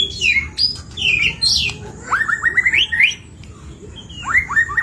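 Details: Vigorous, varied white-rumped shama song used as a singing lure: high whistled notes followed by a run of rapid rising chirps, a pause, then another quick rising series.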